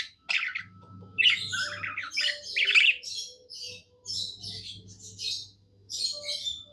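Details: Pet budgie in a happy mood, singing bright, high chattering warbles and squeaky chirps in bursts separated by brief silences, above a soft low hum.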